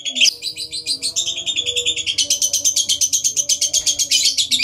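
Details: Lovebird giving its long ngekek trill, used as a lure to set other lovebirds singing: a rapid, high, rattling chatter of dense repeated notes that gradually becomes steadier and louder, with faint low tones beneath.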